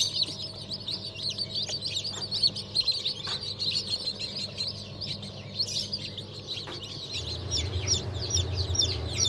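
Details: Newly hatched chicks, turkey, bantam, Sussex and Australorp, from a 31 May 2023 hatch: rapid high peeps, roughly two per second, in a busy overlapping chorus. A low rumbling hum grows in the final seconds.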